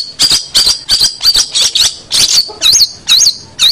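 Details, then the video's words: Long-tailed shrike, a recording for teaching other birds: a run of about ten loud, twisting whistled notes, each wavering up and down, delivered roughly three per second. "Masteran Suara Pentet Cendet"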